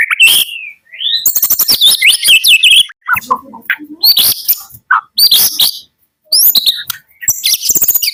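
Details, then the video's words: Morning singing by a white-rumped shama of the Medan type, in loud bursts of high whistles and rapid chatter separated by short silences, with some lower scratchy notes between phrases. "Kicau Pagi murai Medan"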